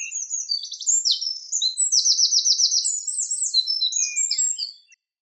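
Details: Eurasian wren singing: a loud, rapid, high-pitched outpouring of varied twittering notes, with a fast, even rattling trill in the middle. The phrase runs about five seconds without pause and ends abruptly. No other sounds are heard.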